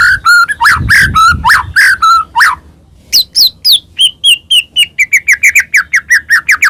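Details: Medan white-rumped shama song full of varied fills, played to provoke other shamas: a burst of mixed whistles and rough notes, a pause, then an accelerating series of short clear whistles.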